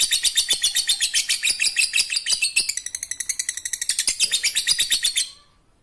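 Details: High, rapid lovebird chatter in the ngekek style, meant to stir quiet lovebirds into song: over five seconds of steady, scratchy, closely spaced notes that end abruptly.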